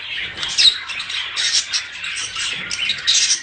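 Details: Mating sound of budgerigars to encourage breeding: harsh, squawky, high chattering in uneven bursts with brief sharp whistled notes.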